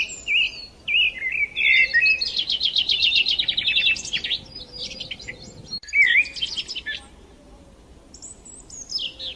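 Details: Morning chorus of sparrows: dense, busy chirps and buzzy trills pouring out for several seconds, a brief pause, then more scattered high twitters fading quieter toward the end.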